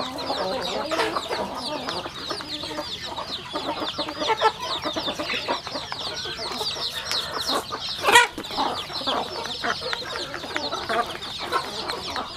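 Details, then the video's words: Chickens feeding at a rural farm: a continuous wash of small high peeps and pecking taps, with one sharp louder knock partway through. "Yummy sounds chicken eating"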